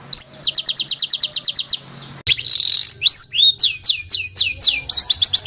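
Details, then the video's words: A fighter-bird training recording of a rough, tight-rolling song: an even, fast trill of piercing high notes, a brief break, a harsh buzz, then varied sharp downslurred whistles and quick chips. "ROLL RAPAT KASARAN || TEMBAKAN Kasar Untuk BURUNG FIGHTER"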